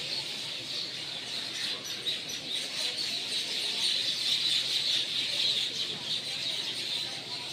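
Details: A flock of birds returning to their nests near a home, chirping steadily; many overlapping high, sharp twitters form a busy, unbroken chorus that swells slightly toward the middle.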